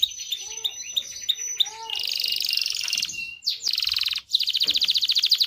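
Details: Canary singing to encourage mating: soft spaced chirps, then a loud buzzy fast trill, a short pure whistle, and another rapid rolling trill.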